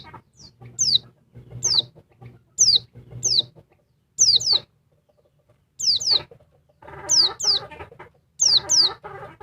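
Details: Agitated calling by a noisy female oriental white-eye aimed at the male: bright, high, falling whistles in pairs over softer scratchy chatter, bursts separated by short quiet spells.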